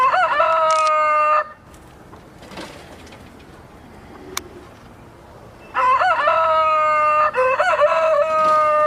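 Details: Rooster crowing twice: a loud, rich, harmonic crow breaks off after about a second and a half, a quiet stretch of faint background noise follows, then a second long crow rises, wavers and holds a steady drawn-out ending.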